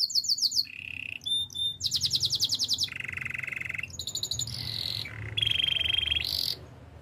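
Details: Canary of the Spanish Timbrado breed in training song: shifting phrases of high buzzy trills, metallic clicks, low steady rolls and bright rattling bursts, each a second or so long.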